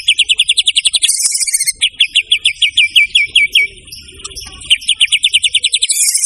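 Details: White-rumped shama, the murai batu, delivering rapid trains of sharp high chips, broken by harsh buzzy bursts and a slower stretch of downslurred notes, then resuming fast repetition.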